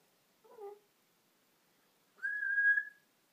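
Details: African grey parrot, a pet indoors, giving a soft low warbled note followed after a pause by a clear, steady, rising whistle held for almost a second.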